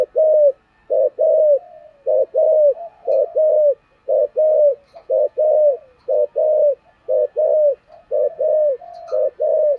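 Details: Repeated calling from a spotted dove of the thổ voice type, fine-voiced and suited for decoy use: strong, regular paired hollow coos, evenly spaced across the whole stretch, with faint faraway chirps.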